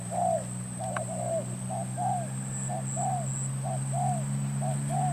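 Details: Spotted dove decoy from Cà Mau, Vietnam, for trapping, 21 February 2024. A run of soft, arched coos, short notes alternating with longer falling ones about once a second, partly covered by strong low hum.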